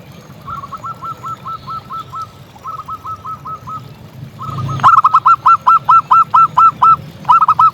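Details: Local zebra dove singing actively: a faint distant run of short hooked coos, then a louder bird delivering a fast series of clipped, ringing cooing notes, about two per second, with a brief thump before it.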